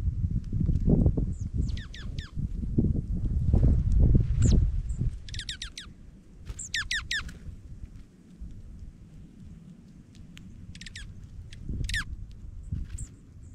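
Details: Dark-eyed juncos feeding in falling snow in Minnesota give sharp, high, downward-sweeping chips in quick clusters of three to five, spread across the recording over dull low thuds and steady background rumble.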